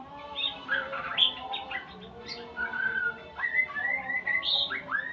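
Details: Shama practising learned sounds, beginning with a jumble of high chirps, then clear drawn-out whistles and rising slurred notes repeated every half second or so.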